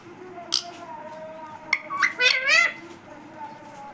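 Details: Talking pet parrot (tota) repeating "Mummy": sharp clicks followed by a loud, wavering, harmonic two-syllable utterance, speech-like in tone, with faint low tones indoors.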